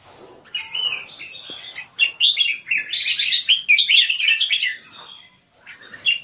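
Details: Caged Red-whiskered bulbul competition bird performing keke song, high-pitched and energetic; soft opening notes build into a loud rapid run of chattering, bubbling phrases before tailing off.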